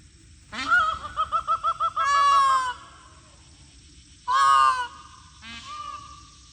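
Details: Free-range peafowl calling loudly and close: a short rising note, then a burst of six quick nasal pulses running into a drawn-out honking wail, another loud harsh wail, and a softer trailing note, over a faint low hum.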